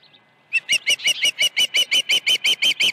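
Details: Osprey on the Dunrovin Ranch nest, 21 August 2019: about twelve sharp, evenly spaced whistled chirps at roughly five per second, starting abruptly after a short quiet.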